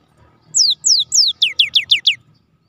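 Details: Gelatik batu (cinereous tit) singing: three slow, high, falling whistles, then a quicker run of four downslurred notes, over a faint low hum.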